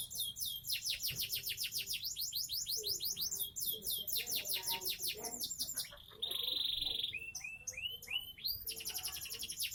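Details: Caged seven-month-old Sonji SF canary kept in Indonesia, delivering rapid downward-sweeping trills, then a sustained buzzy note and a string of short rising whistles.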